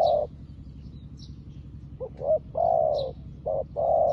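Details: A new spotted dove decoy calls like a practised lure bird to draw in wild doves. A low coo opens, then after a pause come a stuttering pair of short notes, a long mellow coo and two closing coos.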